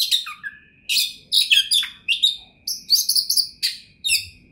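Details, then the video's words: Oriental magpie-robin (kacer), a champion bird with a rich, varied repertoire, pours out loud, dense phrases. Bright high chirps and downslurred whistles follow one another almost without pause, with a thin constant tone underneath. "OCEHAN KACER TOP, GACOR DORRR ll JUARA FULL MATERI MEWAH 2021"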